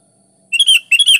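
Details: Sooty-headed bulbul in full, energetic song: two loud bubbly whistled phrases about half a second apart, each a quick run of rising and falling notes, over a quiet background.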